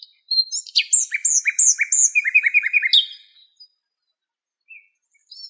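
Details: Western black-eared wheatear in Greece, female gathering nest material: a three-second run of quick repeated chirps and whistled notes layered high and low, then near silence with faint short notes.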